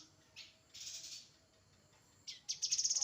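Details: Grey-headed canary-flycatcher: a few buzzy high bursts, then a rapid run of thin, sharp, evenly spaced notes at the end.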